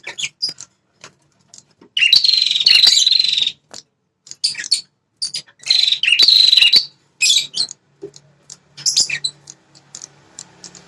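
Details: Prinia (prenjak kepala merah) call used to make wild males angry and respond in defence of territory; repeated harsh buzzy bursts over a second long, interspersed with high chirps, ticks and a faint low hum.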